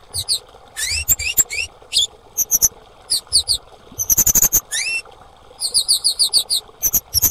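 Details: Repeated bursts of shrill chirps and upward-sliding whistles from a female orange-headed thrush, including a dense rattling run midway; meant to prompt silent or stressed birds to start singing, over a soft low hum.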